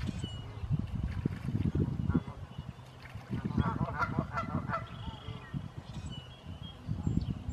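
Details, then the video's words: Canada goose recorded on 16 April 2017 gives a short run of nasal, stuttering honks, with low rumbling handling noise and a voice heard underneath. "Canada Goose"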